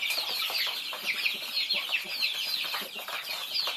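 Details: Thai baby chicks feeding, a flock peeping together: dense, overlapping high, thin peeps, each sliding downward, pouring out without pause for the whole stretch.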